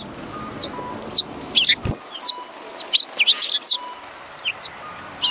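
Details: Sparrows at a Tenmangu shrine, 4 March 2020, give spaced high chirps building into a quick cluster, with a sharp knock near the two-second mark and faint steady tones behind.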